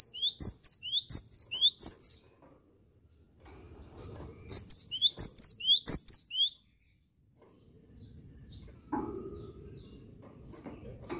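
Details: Cinereous tit singing vigorously, likely a kept songbird: loud, high whistled two-part phrases, each a rising sweep then a sharp falling note, repeated in two quick bursts of about four phrases, followed by soft rustling and low background noise.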